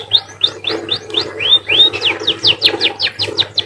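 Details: A munia (emprit), said to sound like a canary, sings a fast series of clear, arched whistles, about three per second, shifting into quicker downward-slurred notes toward the end.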